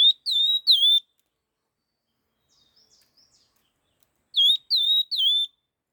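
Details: Laughingthrush singing fast. A trio of bright, slurred whistles rich in overtones, then quiet twittering. After a few seconds comes a second trio of matching whistles.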